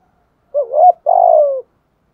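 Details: Captive spotted dove used as a lure, giving a thúc gù coo: a wobbling rising-falling first note followed after a pause by a longer, slightly buzzy coo that drifts down.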